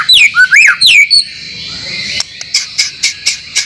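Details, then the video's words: Song used to coach caged white-rumped shamas: a rapid run of swooping whistled notes, followed by a series of sharp clicks repeated roughly every quarter second against constant high hiss. "masteran murai batu yakin 100% bikin gacor setiap saat"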